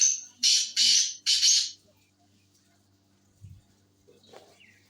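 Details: Sindhi tetar, a black francolin kept for sale, uttering a quick series of four harsh, scratchy notes, the last drawn out, followed by near silence with a faint hum and a few soft knocks.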